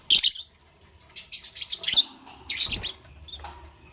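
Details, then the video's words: Morning lovebird chirping, loud shrill chirps and rapid scratchy twitters in quick succession, ending in softer thin notes. "Lovebirds Chirping Sounds"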